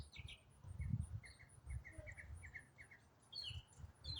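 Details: Songbird in autumn singing continuously: a series of short, evenly spaced mid-high chirps with a few higher slurred notes, partly masked by a loud low rumble and a constant faint high insect ticking.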